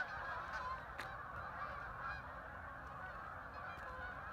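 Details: A huge flock of ducks landing on the water at Hockanum River Linear Park, Vernon, Connecticut, heard from the trail: a softer, continuous babble of many calls with a few sharper bursts standing out.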